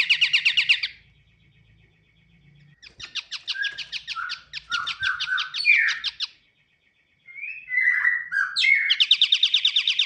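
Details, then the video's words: Pied triller song used as a lure recording: a fast rattling trill, a pause, then a choppy series of trilled bursts mixed with slurred whistled notes, another short silence, and a final fast bright trill. "Pancingan burung || KAPASAN KEMIRI"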